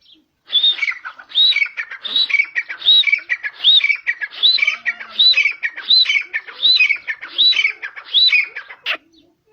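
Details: Grey francolin in natural habitat in Pakistan: a long rhythmic run of about eleven loud phrases, each a high rising whistle followed by a harsher lower note, repeated steadily almost every 0.7 seconds for eight seconds.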